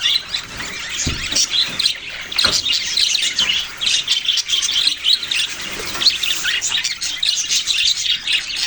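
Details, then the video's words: A group of budgerigars chatters steadily with high, twittering chirps and short warbles. A couple of low thumps stand out early on. "parrot sounds and chirping sounds"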